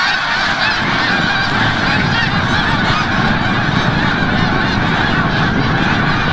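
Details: Snow goose flock coming back from the bay at sunset to Forsythe National Wildlife Refuge in Oceanville, New Jersey; a seamless din of overlapping honks over a noticeably heavier low rumble throughout.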